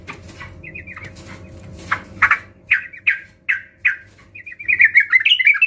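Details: Sooty-headed bulbul lure song for birds reluctant to sing: soft whistled notes over hum, then loud slurred chirps about every half second, closing with a fast rising and falling warbled phrase.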